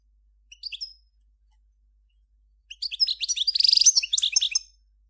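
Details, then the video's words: Major European goldfinch song recorded in 2014: a short twittering snatch, a pause of nearly two seconds, then a long, lively phrase of jangling notes centred on a buzzing trill. "صوت الحسون الأصلي - Stieglitz Major Beste Gesang - Le roi du chardonneret"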